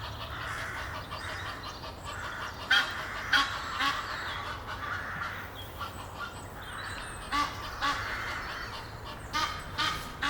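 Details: Egyptian geese, a courting pair perched up a tree near Henley upon Thames, give loud harsh honks in two bursts, a few rapid calls each, over a steady background rumble.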